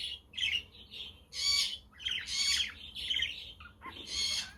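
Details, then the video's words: Sunny but windy day with budgerigars chattering, meant as company for lonely budgies, while a quaker parrot and a conure call in the background. Dense, scratchy warbling and squawky notes run almost without pause. "Parakeet Friends for your LONELY budgie birds"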